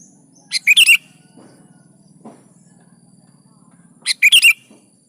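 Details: Sooty-headed bulbul (kutilang) in lively 'gacor' song, used to prompt caged kutilang to answer and sing: two short bright bursts of quick chirpy notes about three and a half seconds apart, over a faint low hum.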